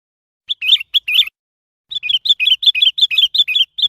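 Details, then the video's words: A Sooty-headed bulbul gives bright, bubbly whistled phrases: a short burst, then a quicker run of liquid notes at about four per second, with nothing else heard. "សំទ្បេងសត្វពពិចក្បាលខ្មៅ ច្បាស់ល្អ- Sooty Headed Bulbul Sound"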